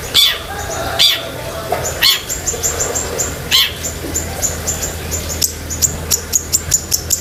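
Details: Long-tailed shrike in active, chatty song rich in filler phrases, used for training pet shrikes; sharp high chirps and short whistled notes scattered unevenly, with a steady low hum beneath.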